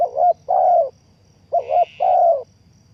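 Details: Spotted dove calling as a decoy for trapping: two deep cooing phrases, each a quick double note then a drawn-out purring coo. A brief higher buzzy tone overlaps the second phrase.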